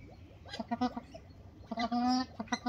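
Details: Female white-winged ducks, two of them, courting a male: a quiet start, then short nasal honks and one longer drawn-out honk, followed by brief clipped notes.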